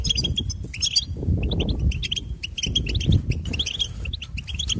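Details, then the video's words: Singing goldfinch delivering dense, fast twittering with tinkling high notes and buzzy trills, continuous throughout, over a low rumbling background. "Uplifting Goldfinch Serenade"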